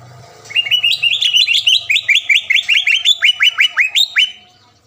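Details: Green leafbird in full song, played to excite a rival bird into answering: a rapid, unbroken series of sharp upswept whistles, nearly three per second, shifting up and down in pitch, with a faint low hum early on.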